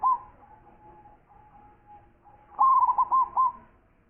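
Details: Zebra dove, a champion-class local bird with a big voice, singing actively: a brief faint coo at the start, then one loud phrase of four or five quick, clipped, hollow cooing notes after a long, steady, faint humming tone.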